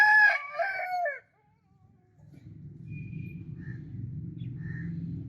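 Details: End of a rooster's crow, a harsh, wavering, harmonic call fading within about a second, then low rumbling background noise with a couple of faint high chirps.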